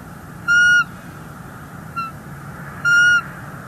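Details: Bald eagle on a nest cam in NEFL, January 30, 2024, the female on the nest vocalizing displeasure at an intruder eagle: two steady, whistled, harmonic-rich notes about two seconds apart with a brief faint note between.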